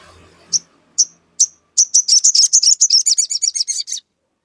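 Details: Sogon song used to goad a rival into answering: three spaced sharp chips, then a long fast series of about twenty high, ringing notes that speed up and stay steady in pitch.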